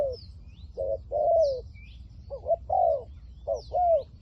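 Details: Spotted dove used as a decoy to lure wild doves, voice style called liu tan: short clipped notes followed by a longer, falling coo, repeated in pairs, with thin high chirps of small birds above.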